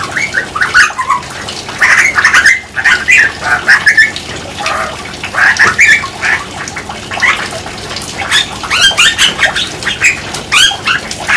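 Grey Butcherbird: a busy, almost unbroken run of mid-pitched chattering notes, short whistles and harsh squawky phrases for about eleven seconds.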